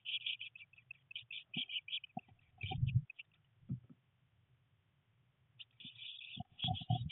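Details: Three 19-day-old blue tit nestlings, near their first flight attempts, give rapid, high, thin chittering calls in quick bursts during a rainy day, pausing midway, over low rumbling and knocking sounds.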